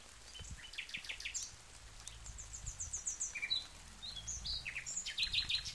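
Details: Nightingale song made of quick, varied phrases: rapid high chirps, short clicks and brief whistles follow one another almost without pause, with a soft low rumble underneath.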